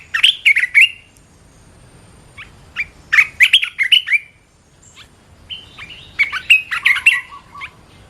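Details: Red-whiskered bulbul singing bursts of bright chirping and warbled whistles, three phrases with short pauses, the last more varied and drawn out.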